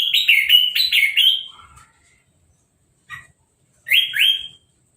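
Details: Orange-headed thrush fresh from moulting, caged and uncovered after a hose-spray bath, sings a quick series of bright repeated whistled notes, then falls silent before a short chip and two more rising whistles.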